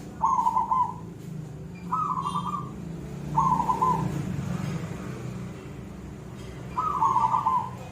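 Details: Silver zebra dove singing in the koong style: four evenly pitched, stuttering trilled coo phrases spaced about one and a half to three seconds apart, over a low humming background.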